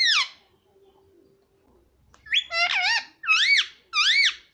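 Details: Parrot said to talk papa and mummy; one falling squawk, a pause, then three drawn-out, nasal, harmonic syllables that arch up and down like spoken words.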